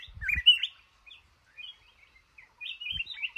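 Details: Caged-in-trap male red-whiskered bulbul in a cashew orchard, delivering a quick warbled whistle, a pause with scattered soft notes, then another slurred phrase. A couple of low thuds are heard.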